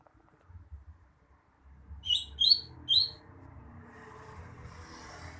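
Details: Greater green leafbird song: three quick, bright chirped phrases bunched together near the middle, set against a low rumble of passing traffic and background hum.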